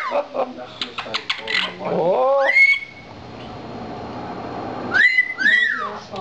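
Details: A pet lilac-crowned amazon gives two clear whistles that rise and then hold a high note, a few seconds apart, after people talk and chatter to it.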